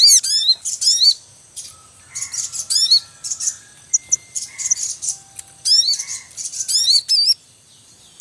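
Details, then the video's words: Wild Javan munias at a nest with young, the male calling: high, thin chirps and squeaky upswept notes in quick bursts, with brief steady whistled tones between them, a busy noisy chorus. "Suara Ribut Sogon Beranak Asli Alam Liar"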